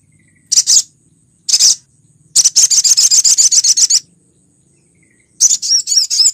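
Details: Sunbird (sogok ontong) female calling the male, a lure recording from Lumajang, Indonesia: sharp high chips, then a fast run of rapid high ticking notes, ending in a thin twittering phrase.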